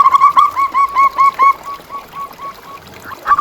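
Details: ['Local zebra dove song, used as a lure and master recording for caged doves, with rapid bursts of mellow cooing notes repeated about twice a second, louder for the first second and a half, then fainter notes from other doves.']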